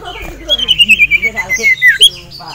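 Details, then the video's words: Male common iora kept in a cage, stirred up by another male and a female, delivers a rapid series of pulsed whistled notes gradually falling in pitch, ending with a higher flick. "CIPOW Ngamuk Melihat SIRTU JANTAN Dan Betina"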